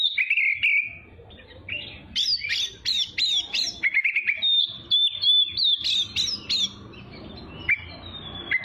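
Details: Oriental magpie-robin (kacer) in training song for young birds: buzzy opening notes, a quick series of steep rising chips, then wavering whistled phrases and isolated sharp notes.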